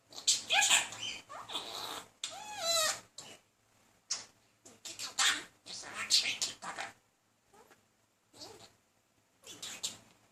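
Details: A talking budgerigar, male, chatters to another budgie in a persistent though unsuccessful courtship; grating, buzzy warbled phrases and harsh squeaks come in uneven bursts, with gaps growing longer toward the end.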